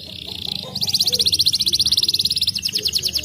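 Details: Crested canary, a fighter bird, singing agitated and in full voice: a long run of rapid high trilled notes, repeated about three times a second, after a brief buzzy opening, with faint low background hum.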